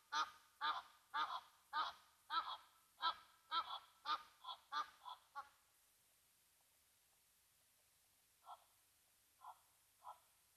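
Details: Agitated Egyptian Geese honking at a Brown Hyena at Mabula Game Lodge's Gnu Pan waterhole, South Africa: a fast run of harsh, nasal honks for about five seconds, then quiet, followed by three fainter, spaced honks.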